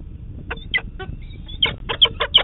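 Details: Peregrine falcon chick at a Manchester, New Hampshire nest, 30 June 2019, demanding breakfast from its parents in the morning: loud, harsh, rapid chipping notes, about eight short bursts in quick succession, over faint background rumble.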